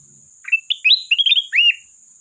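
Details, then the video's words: Sooty-headed bulbul singing energetically while calling a rival: one bright phrase of about eight quick whistled notes that rise and fall, ending in a strong slurred upward-then-down whistle, over a steady high electronic tone. "Burung Kutilang Emas Gacor isian pandai memanggil lawan"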